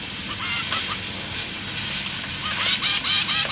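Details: Caged zebra finch young being fed by parents, 29 September 2023; faint nasal notes at first, then a louder run of short arched beeps toward the end.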